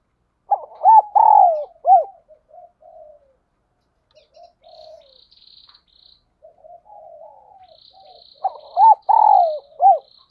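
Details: Spotted dove serving as a lure for wild birds, cooing a phrase of short notes and a falling croo, then soft muttering coos, and a second full phrase. A faint high buzzing runs in the background.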